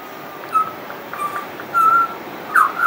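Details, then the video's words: Singing pied butcherbird giving a few separated, level flute-like whistles, each held briefly, the last ending in a short downward twist. "Pied Butcherbird wouldn't shut up"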